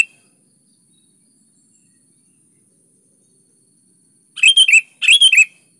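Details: Energetic sooty-headed bulbul song played to coax lazy birds into answering: a long quiet stretch, then near the end two rapid phrases of fluty, slurred notes given back to back.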